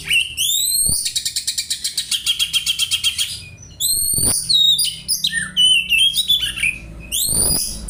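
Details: Oriental magpie-robin singing an imitation of a house sparrow, a song suited to tutoring other birds: sharp downward-sweeping whistles, then a fast run of about fifteen evenly repeated chirps, followed by chattering, twittering phrases and another loud sweep.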